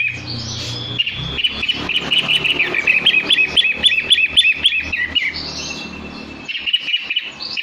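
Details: Long-tailed shrike singing: a fast, high chattering run of sharp repeated notes about four per second, mixed with scratchy warbles, over a low background hum.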